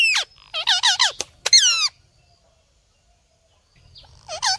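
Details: Green ringneck parrot, a hand-tame pet bird, talking: bursts of harmonic, chattering syllables with wavering pitch, then a pause and another short burst at the end.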